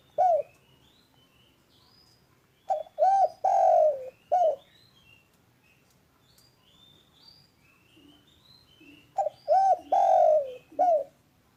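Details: Spotted dove calling loudly and clearly in repeated phrases of rounded coos with a long falling note, while faint high whistles of other birds sound between phrases.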